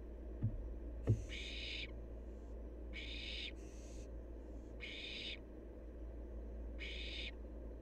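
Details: A wild barn owl fledgling gives about six breathy screeches, some doubled back to back, after two sharp knocks at the beginning, over a steady low hum.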